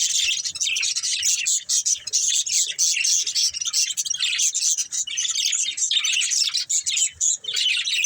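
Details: A group of pet budgerigars, playing and eating, chatter steadily in high, scratchy chirps and warbles, with small dips between bursts and soft low taps beneath.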